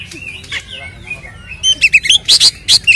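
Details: Kacer (Oriental magpie-robin) 'ngeplong tarung' song used to stir up rival birds: quiet warbling at first, then loud rapid bright chirps and short whistled notes in quick series.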